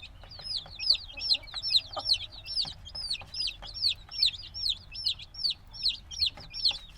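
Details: Cute black chicks hatched a few days ago cheep noisily, each note a high whistle dropping sharply in pitch, in a steady overlapping stream with soft ticking sounds underneath.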